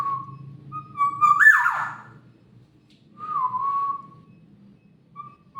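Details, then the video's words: Black-naped oriole voice: a level, fluty whistle that jumps up into a rough, sliding swoop, followed after a pause by another steady whistled note and the start of a third; otherwise quiet with a faint low hum. "Burung Kepodang"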